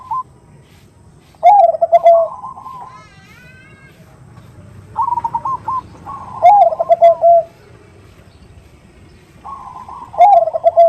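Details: Female zebra dove calling the male with the nutut call: trilled, stuttering whistled notes dropping into a lower rolling coo, the phrase repeated three times, with a low steady hum beneath.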